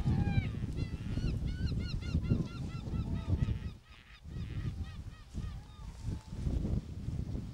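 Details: Albatross calling, from a natural history collection gathered on travels to Antarctica and New Zealand; a busy sequence of nasal, honking calls with arched, harmonic notes repeated rapidly, overlapping at times, over steady low wind rumble.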